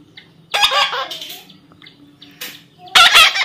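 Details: Baby parrot being tamed, natural sound: two loud, harsh, raspy squawks, a longer one early and a short burst near the end, with faint scratchy calls between over a quiet background.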